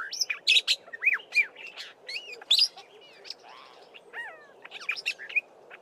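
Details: Black-bellied Starling singing with mimicry of Fork-tailed Drongo and other local birds: a rapid jumble of whistles, upslurred and downslurred notes, harsh buzzy chatters and sharp chips, varied phrases tumbling together with no pause.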